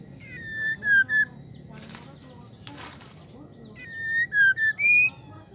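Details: Female white-rumped shama in breeding condition calling to a male: two short bursts of three to four clear whistled notes near one pitch, separated by a pause that holds a brief rushing, flapping-like noise.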